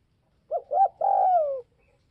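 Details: Spotted dove calling to provoke other doves: two short, husky coo notes in quick succession, then a longer sustained coo that slides gently downward at the end, mid-pitched and clear against a quiet background.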